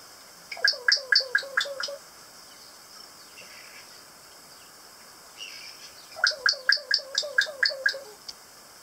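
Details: On Stewart Island in southern New Zealand, kakas, native parrots, give two bursts of six to eight rapid, evenly spaced grating notes. About four seconds of near quiet separate the bursts.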